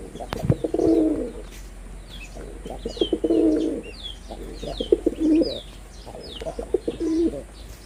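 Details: Deep, pulsing coos from a performing male red-bordered wild pigeon come in four rolling phrases about two seconds apart. Busy high chirping of small birds runs underneath.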